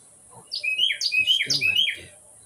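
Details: A male Carolina wren in Ocala National Forest calls near the house, as it does daily when wanting mealworms or attention: four quick, bright rolling phrases of slurred high notes in under two seconds, with a faint low murmur underneath.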